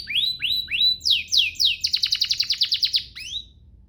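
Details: A canary sings a training master song: three rising whistled slurs, then swooping descending notes, then a quick rattling trill of about a dozen clipped notes that fades away.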